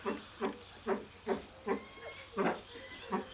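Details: A captive satyr tragopan at a pheasant nursery gives low, hoarse clucking display notes, about two per second in an uneven series, with faint thin whistles of other birds behind.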